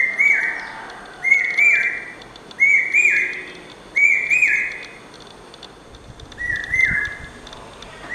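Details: Common hawk-cuckoo, the brain fever bird, singing incessantly: loud shrill whistled three-note phrases repeated about every 1.3 seconds, each phrase with a rising then dropping pitch, later phrases quieter and farther off, with faint high insect-like ticking behind.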